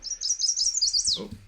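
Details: Chestnut-sided Warbler, breeding in southern Canada and the northern U.S., sings 'please, please, pleased to meet ya': a quick run of high, sweet notes, about five a second, ending in an emphatic downslurred note; a voice briefly follows.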